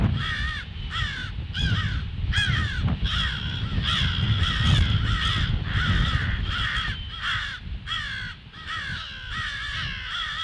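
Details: Crows raising the alarm, 18 February, 08:50: rapid, continuous series of hoarse caws, about four a second, several birds overlapping, against low rumbling background noise.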